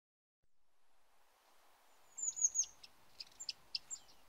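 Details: Bearded reedling from reed beds: after a quiet start, thin high whistled notes sliding down, followed by scattered short pinging calls.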